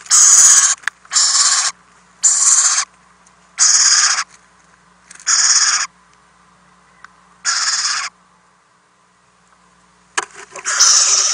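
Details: Owlets in a nest box receiving food from their parents overnight, April 10, 2018, nest camera: a regular string of short hissing screeches about one per second, a few-second pause, then louder hissing again.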